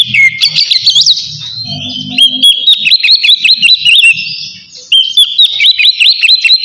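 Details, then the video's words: Oriental magpie-robin delivering ngeplong song aimed at a rival, a lure to get birds singing: busy high whistling with rapid repeated up-down slurs, a brief lull near the middle, then more quick whistles over a faint low hum. "suara kacer ngeplong manggil lawan sangat ampuh buat pancingan kacer bahan bikin cepat bunyi"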